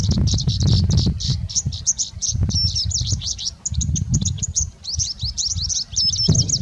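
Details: A singing bushlark in India pours out a fast, continuous stream of high, varied chirps and twitters, a song with much mimicry, as a wasp passes by.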